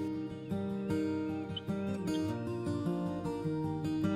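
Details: Gentle plucked acoustic guitar music plays throughout, with no animal sound audible.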